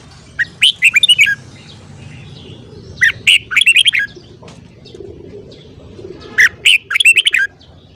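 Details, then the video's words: Red-whiskered bulbul in morning song, giving three lively bursts of rapid chirping, whistled notes across eight seconds, with short pauses and a soft low rumble underneath. "Luyện giọng chào mào hót sáng .kích giọng chào mào hót hay"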